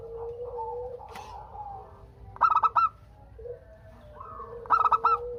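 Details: Zebra dove of local stock singing so that other doves call in reply: two bursts of rapid, rolling coo notes over continuous low, droning coos from other doves.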